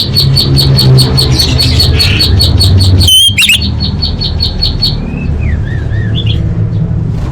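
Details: A female orange-headed thrush calls to males, used to lure silent birds into singing: a fast, even ticking series for about five seconds, one loud sharp whistle midway, and faint wavering whistles near the end.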